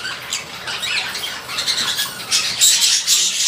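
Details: Lovebirds at a breeding farm, giving shrill, high squawks and chattering calls that overlap irregularly and come several times a second, growing louder toward the end over a soft background hiss.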